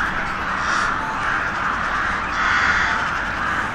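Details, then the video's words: Crows cawing in a massed, grating chorus whose overlapping voices rise louder toward the end. "Sunete de ciori. Sunete de pasare cioara."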